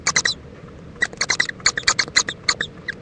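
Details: Owls at a nest in Indiantown, Florida, a mother checking on her owlet and joining it for preening late in the morning of 26 February 2014; rapid, high, squeaky chirps in short bursts, several grouped clicks repeating over three seconds.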